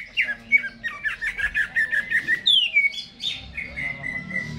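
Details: Caged greater green leafbird singing before being hung up, a lively run of short chirped notes near mid-high pitch, then a sharp descending whistled slur and a steady held whistle; faint indoor background.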